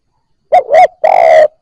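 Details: Recently trapped spotted dove cooing: a pair of soft rounded hoots, then after a short pause a long even coo trailing off. Quiet background.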